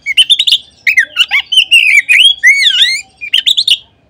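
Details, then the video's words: Lure song from an Oriental magpie-robin, meant to stir other magpie-robins into song: dense, energetic strings of rising and falling whistles mixed with sharp chirps, nearly unbroken, with swooping slurred notes in the middle. "Kacer manapun seketika terangsang berbunyi dengan pancingan ini."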